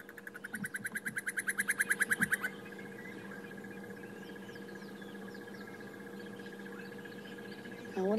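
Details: At sunrise on 25 March 2016 in Sabi Sand, a crested barbet gives a fast, loud trill building for about two and a half seconds, with another crested barbet calling in the distance; steady hum and faint chirps remain.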